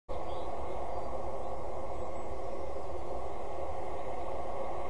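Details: Loud, constant low rumble and hum filling the whole recording, with no animal voices.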